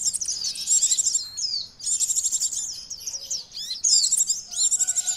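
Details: A noisy common iora (Aegithina tiphia) lure call of busy, high-pitched chattering, with rapid trills and sharp whistled notes in three dense bursts separated by brief pauses.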